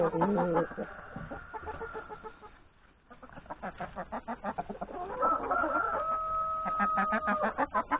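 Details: Hens and three roosters breakfasting in a yard before grazing in the forest; quick clucks repeat at about three per second, a brief lull follows, then a rooster's drawn-out steady crow runs for over two seconds.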